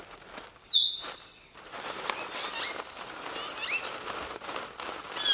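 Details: Common hill myna singing in Nagarahole National Park: a loud descending whistle, then quieter chattering and squeaky notes, ending with another sharp high whistle; a constant high-pitched background hum is present.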